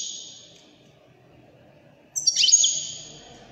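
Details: Moroccan Wedani-type European goldfinch song: a sustained high thin tone fades out, then after a pause a sharp burst of liquid twittering with a swooping downward note and fast jumbled chirps.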